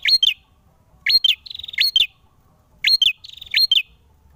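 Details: Male ashy tailorbird singing vigorously while fighting: sharp high rising-falling chip notes in pairs, some followed by a fast buzzy trill of rapid pulses, phrases repeated about every second amid near silence.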